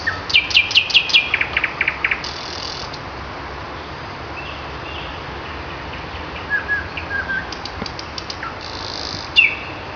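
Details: Common nightingale in May, singing in the morning: a loud strophe of fast repeated high clicks and notes, then quieter scattered whistles and short trills after long pauses, with constant background hiss.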